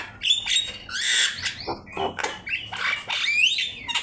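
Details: Javan myna recorded as a master track for teaching birds to sing, delivering harsh squawking bursts interleaved with upslurred whistles and a loud rising whistle near the end.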